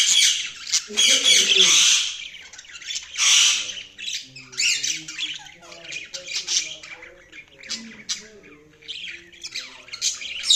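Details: Budgerigars squawking and chattering, with loud harsh bursts early on, followed by continuous warbling chatter; a lower tonal voice, possibly speech, runs beneath through much of the recording.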